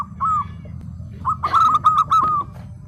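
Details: Local zebra dove: one soft coo, then a quick, bright run of four or five staccato cooing notes, with low background noise.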